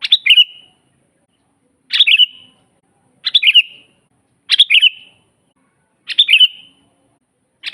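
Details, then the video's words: Sooty-headed bulbul singing for a training master recording: six short chirpy whistled phrases, each a quick stuttering burst ending in a brief falling tail, repeated about every one to one and a half seconds over a quiet background. "suara burung kutilang GACOR asli paling banyak dicari buat masteran"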